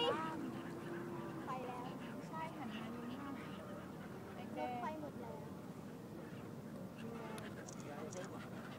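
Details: A flock of gulls gives overlapping nasal, mewing calls, short and slightly rising, over steady crowd chatter and distant traffic at the Bang Pu seaside resort.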